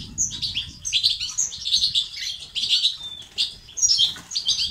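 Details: Male-stimulating European goldfinch song, batbata and sastasat style: continuous quick twittering with chirps, short buzzes and a thin drawn-out whistle, low background noise underneath.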